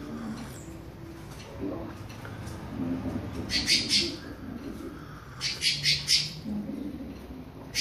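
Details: Warming-up creamy-bellied thrush with classic-style song: two separated bursts of rapid, scratchy, high-pitched notes, three or four per burst, over a low rumbling background with faint clicks.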